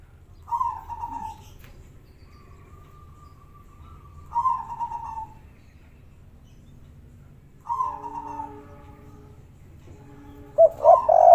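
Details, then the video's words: Spotted dove (derkuku), kuk 3 style, local wild recording: low hoarse cooing phrases repeated three times, separated by pauses, with a faint steady whistle-like tone between them and a low background hum. "suara burung derkuku kuk3 super gacor"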